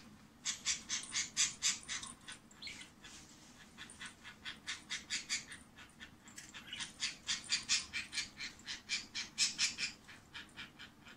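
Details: Rapid harsh pulse trains from a female pet budgerigar recorded covertly at home, the buzzing "bububu" run in long stuttering series with a brief gap mid-way and a faint room hum beneath.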